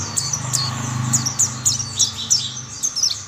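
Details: Mountain white-eyes join one another in song. High, sharp chirps and quick downslurred twitters repeat in bursts over a steady low hum.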